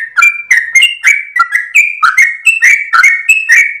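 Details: Sooty-headed bulbul singing at dawn in a long, rapid song while wagging its tail. Dense series of ringing whistles, some held briefly, others rising, packed closely together.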